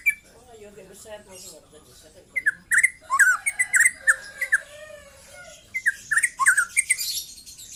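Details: Young white-rumped shama singing trotol: after a soft, low murmur, a lively sequence of clipped, rising-and-falling whistled notes repeats quickly, ending in a hissy burst.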